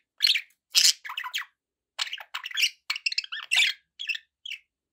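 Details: Budgies kept as pets give quick squeaky chatter: harsh little squawks and twittering chirps about twice a second, in irregular clusters separated by short breaks.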